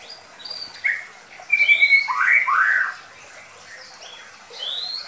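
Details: White-rumped shama of the Medan type, Indonesia, lure song suited to young birds: scattered high whistles, a flat sustained whistle, then a burst of rich slurred notes before thin rising whistles resume.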